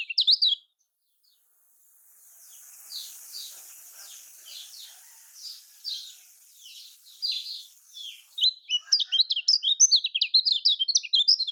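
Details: Lombok lemon-bellied white-eye (kecial kuning), played as a lure for silent birds: a brief chirp burst, a quiet gap, then faint repeated high notes under hiss before loud, rapid twittering fills the last three seconds.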